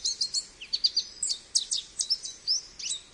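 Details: American goldfinch song: a fast, continuous stream of high, sweet twitters and short rising and falling slurs, several notes each second, over a quiet background.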